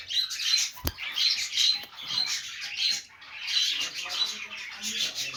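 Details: Playing budgerigars make a busy, high-pitched warbling chatter of clicks and short whistled squeaks in waves, broken by one sharp knock early on.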